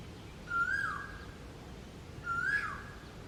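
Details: An Asian koel sings a variant song that is said to be unlike other koels. Two clear whistled notes rise briefly and then drop away, spaced under two seconds apart, against faint steady background noise.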